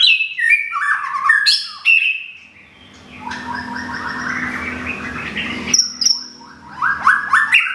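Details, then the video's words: Kept white-rumped shama from Thung Song, Thailand, newly moved and recently moulted, plumage nearly regrown; rich whistled song of varied sliding phrases, a stretch of denser rising trills in the middle over a low background hum. "บินหลาดงทุ่งสง shama bird murai batu thailand"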